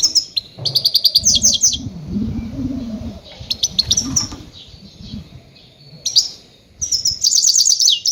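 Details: Goldfinch lure calls for trapping grey-headed goldfinches: rapid runs of high, tinkling twittering notes in bursts at the start and end, with a low humming noise in the middle stretch.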